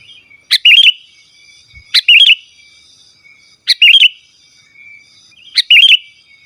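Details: Pure, unembellished song of a sooty-headed bulbul used for luring wild birds and tutoring: four short liquid, bubbly whistled phrases, each rising then falling, spaced about one and a half seconds apart against a quiet background.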